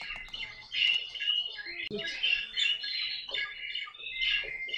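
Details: Caique kept as a pet squawking in rough, scratchy bursts mixed with thin whistled notes, with a sharp clatter near the two-second mark.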